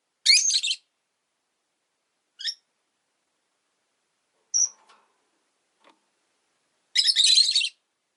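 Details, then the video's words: Rosy-faced lovebirds caged near a window make two harsh, noisy screeches separated by faint short squeaks and quiet background sounds. "Lovebird Chirping Sounds"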